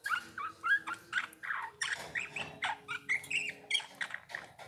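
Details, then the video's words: Eurasian bullfinch song: a quick run of short, soft warbled and creaky notes between low and mid pitch, with a few brief whistled slurs, steady throughout with faint background hum. "Chant bouvreuil pivoine"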